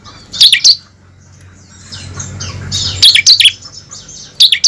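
A bar-winged prinia sings sharp, high bursts of loud, chattering notes with a softer buzzy twitter between them. The background is otherwise quiet.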